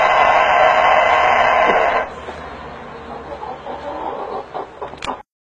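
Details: An angry-looking rooster gives a loud, harsh, drawn-out crow that breaks off after two seconds, followed by softer low clucks and a few sharp clicks.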